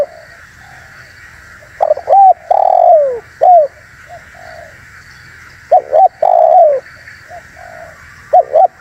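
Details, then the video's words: Spotted dove lure recording to attract wild doves: two phrases of quick paired notes and a long descending coo, with a few softer distant coo notes between them and a constant low hum. "SUARA BURUNG TEKUKUR UNTUK PIKAT DAN PANCINGAN"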